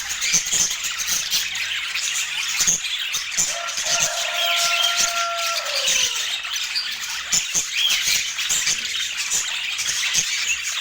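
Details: Several budgerigars eating and chirping indoors under natural Nordic light. Constant bright twitters and squawks fill the clip, while a clear tone glides steadily downward in the middle. No music or speech.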